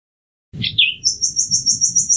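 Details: Brief common nightingale phrase: a quick falling slur followed by a thin, very high trill of evenly pulsed notes.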